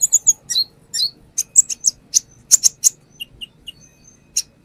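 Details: Brown-throated sunbird (konin) in lure song: a rapid cluster of high squeaky notes and twitters, a run of sharp piercing chips, then a few softer lower chirps and one final high note.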